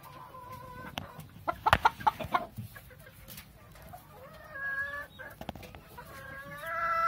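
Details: Golden Laced Polish chicken giving drawn-out, harmonic, slightly nasal calls near the start and a run of rising, wavering calls toward the end, broken by a loud cluster of harsh squawks and clucks in the middle; low background rumble.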